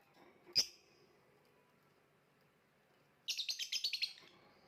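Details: Indonesian contest lovebird giving a single sharp high chirp, then a pause, then a fast stuttering run of about ten bright notes in a row.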